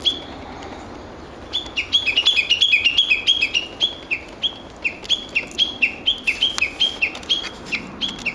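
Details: Japanese bush warbler in woodland at an ecology park, recorded 06/12: after a quiet start, a long fast volley of loud, sharply falling whistled notes, about three to four each second, continuing to the end.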